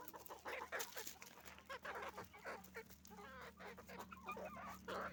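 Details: Roosters and hens on a chicken farm make noise together: a dense, overlapping chorus of harsh clucks and squawks, many birds calling at once with short bursts rising and falling throughout, over a steady low mechanical hum.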